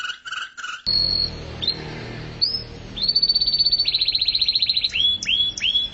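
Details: Canary singing 'mabok teler' style: a few harsh calls, then sustained high whistles and a long rapid trill, ending with repeated upward-hooked whistled notes.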